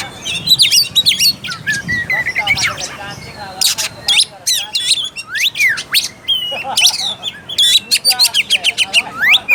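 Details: Oriental magpie-robin song meant to spur a lazy, less combative bird to sing: a long rich run of whistled slurs, rapid chattering bursts and harsh notes, denser toward the end.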